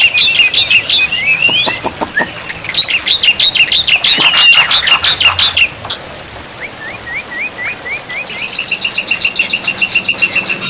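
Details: Black-winged myna song on a water-therapy tutor track for silent birds: harsh repeated chattering, a rising whistle, then a series of short upslurred whistles and a fast rattling trill.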